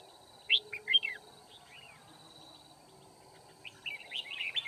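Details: Red-whiskered bulbul recorded while being trapped on 9 February 2019: short bursts of sharp chirping notes near the start, a quiet pause, then a rapid tumbling run of bright notes at the end.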